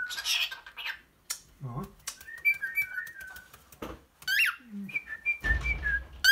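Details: A male pet cockatiel chatters in squeaky mimicked words mixed with bright whistled chirps, inviting his owner to play chase.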